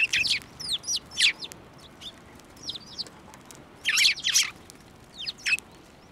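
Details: Sparrows coming to a hand to be fed at a Tenmangu shrine, 15 March 2024; bright, rapid chirping in dense bursts separated by brief pauses.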